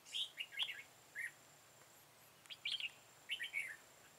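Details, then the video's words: Red-whiskered bulbul on 13 October 2018 during trapping with a decoy bird. It sings short groups of bright whistled and warbled notes separated by pauses of about a second. "Bẫy chào mào Hàng Xòe đuôi hết bản"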